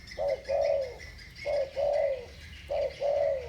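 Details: Spotted dove coos in the thổ bầu voice, two birds trading calls: each phrase a short soft lead note and a longer bright coo sliding downward, repeated three times at even spacing over quiet background chirps.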